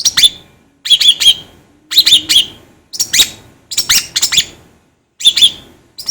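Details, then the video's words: Long-tailed shrike giving rasping calls in tight groups of three, each group separated by about a second of quiet; a sound said to make shrikes respond. "DENGAR SUARA INI CENDET JADI ON"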